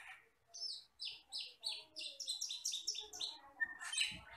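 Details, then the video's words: A black, red-eyed Asian glossy starling, described as a wild forest bird, sings a rapid series of bright high chirped notes, several per second, ending with harsher buzzy notes and a faint low thump. "MASTERAN BURUNG HUTAN CAMPERLING (CUCAK KELING)"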